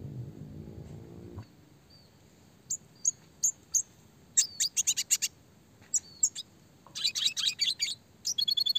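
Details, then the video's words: Red siskin classic song for small-bird training: a brief low rumble, then evenly spaced high chirps building into rapid clicking rolls and buzzy trills toward the end. "masteran burcil‼️red siskin gacor suara jernih roll tembak speed rapat untuk burung fighter"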